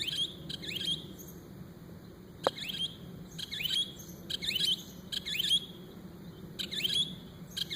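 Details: A bird that mimics many sounds repeats short, sharp high chirps in pairs and groups, with a single sharp click in the middle.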